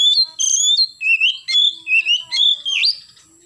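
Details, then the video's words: Morning song of an oriental magpie-robin, 'gacor nembak' style: a steady string of short whistled phrases, about six in three seconds, each dipping and rising, ending in an upward slide. "KACER GACOR pagi hari nembak"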